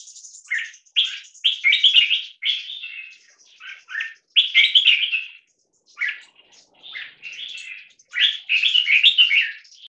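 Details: Caged crossbreed bulbul, 75% red-whiskered and stripe-throated bulbul, 1.5 years old, from a competition bloodline, in a loudness test: bright, loud warbled phrases in quick bursts, each a cluster of chirpy slurred notes separated by brief pauses.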